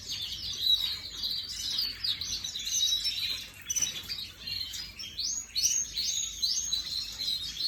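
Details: Canary kept as an ornamental bird, imported in 2024 and recorded on 18 May 2025, singing high rapid trills that end in a series of repeated upward-swept whistled notes.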